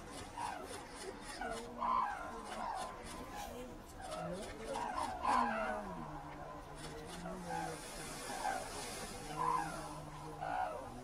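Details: Red-crowned cranes lifting off from Ito Sanctuary, Tsurui, Hokkaido, with repeated bugling notes from several birds amid low murmuring and a burst of rapid clicking early on.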